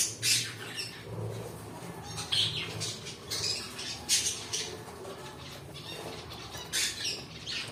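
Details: Separate sharp, high squawks from pet cockatiels, spaced unevenly with quieter stretches in between.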